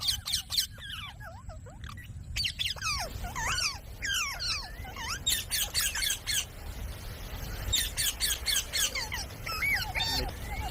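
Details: Ringneck parrot calling: a busy run of sharp, downslurred squawks and chirps, often fast and overlapping, with bursts of rapid repeated notes against a steady background hiss.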